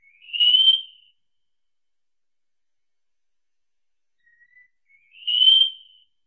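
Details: Wallcreeper singing: two long, thin whistled notes, each swelling and rising slightly in pitch, separated by about four seconds of silence with a faint soft note before the second; clean background.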